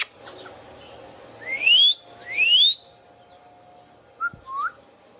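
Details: Indian ringneck parakeet calling: two loud rising whistles in quick succession, each sweeping upward and sliding off, followed by two short soft chirps near the end over a faint background hum.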